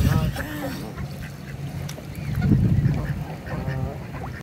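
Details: A rarely heard mute swan gives a few soft, nasal, honking calls, with a low rumble and possibly murmuring voices in the background.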